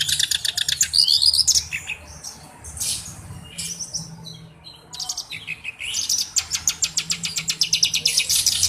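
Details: Song of a black-browed reed warbler, a bird kept as a singing tutor. Dense grating chatter and buzzy rasps come in bursts, with a short pause mid-way, then a fast run of repeated dry clicks.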